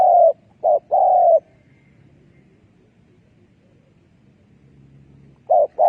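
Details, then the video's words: Spotted dove decoy call for trapping doves: a short note and a long coo, then a long silence before the phrase starts again; faint low hum in the background. "លលកធ្នាក់សម្លេងដេញព្រៃ Good Dove trap"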